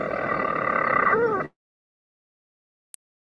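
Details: On Mousa, European storm petrels nesting in walls answer playback of a storm petrel call. One gives a rapid, rattling purr from inside its nest, ending in a brief dipping hiccup, then silence and one faint click.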